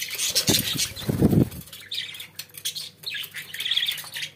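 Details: Pet budgerigars indoors with harsh scratchy chatter, a burst of low thumping wing flaps and knocks in the first second and a half, then squeaky warbling phrases over a low hum.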